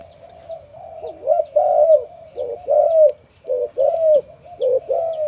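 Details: Breeding male spotted dove on a farm, noted for its deep voice, delivers loud, low coos, some dipping then rising, in separate bursts about a second apart. Faint high bird chirps sound in the background.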